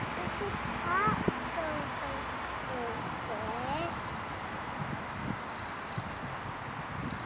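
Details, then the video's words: A pair of Eurasian wrens agitatedly alarm-calling at a cat in Pearson Park Wildlife Garden, 12 March 2012: harsh, dry, high churring rattles in half-second bursts every second or so, with soft low murmuring underneath. "European Wren alarm call on seeing a cat"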